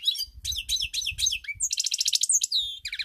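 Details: European goldfinch, 7 March 2021: a lively string of twittered notes repeated in quick groups, then a dense rattling trill and a falling whistled note, with soft low thumps in the background.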